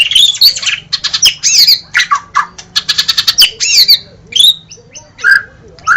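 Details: White-rumped shama, known locally as murai batu, singing a loud varied song of rich whistles, harsh squawky notes and rapid upswept phrases, delivered in quick bursts with short pauses; a faint low hum runs underneath.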